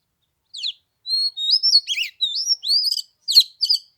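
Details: White-rumped shama song on a cold 15-degree day at Lunar New Year: clear whistled phrases at high pitch, a rising slurred note, then a quick run of varied warbled notes and sharp chips, with no background sound.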